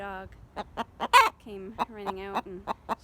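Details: Buff Orpington pet hen gives quick repeated clucks, a few per second, with one loud harsh squawk, still alarming after the flock alarmed and something was chased away; she won't settle, and a person's voice soothes her.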